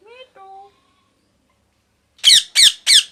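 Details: A parrot's loud, harsh squawks come in three evenly spaced rasping bursts, after a brief high voice and a long silence.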